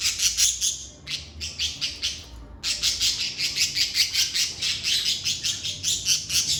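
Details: Chattering lovebirds in a quiet, stress-free room produce dense, evenly pulsed high chirps, roughly two or three a second, with a brief hush after the first second before the shrill chatter picks up again.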